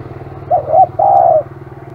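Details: Aggressive spotted dove giving a double coo and then a long rolling coo, over a steady low engine-like drone.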